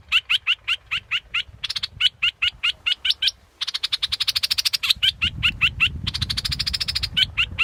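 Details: Alternating bouts of sharp, high, clipped notes and fast buzzy trills from a scarlet-backed flowerpecker, with a brief silence near the middle and low rumbling noise in the later part.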